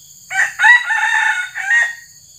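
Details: Crow of a red junglefowl used in traditional Sumatran luring, the trained male decoy only about six months old: a hoarse, broken four-part crow rising then sustained and falling off, with a shrill insect chorus underneath.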